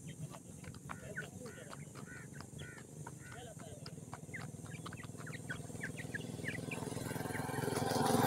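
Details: Grey francolin chicks from Punjab, peeping in rapid short chirps, many overlapping notes with a steady low hum beneath that grows louder toward the end.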